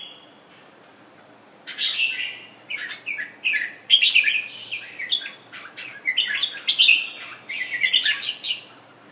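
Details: After its moult, a pet Thailand red-whiskered bulbul on display delivers a string of chattering, liquid warbled phrases after a quiet start, with sharp clicks and rustles between bursts.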